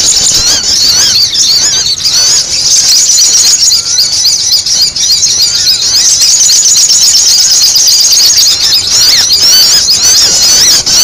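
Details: Excited sogon (sunbird) chatter for luring. Very fast, high, squeaky twittering, almost four notes a second, blending into a continuous shrill buzz over eleven seconds.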